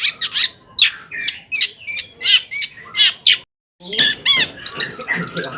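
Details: Long-tailed shrike singing as a lure to make other shrikes respond: loud grating chattering phrases mixed with high squeaky chirps, in uneven bursts about once a second, broken by a short silent gap midway.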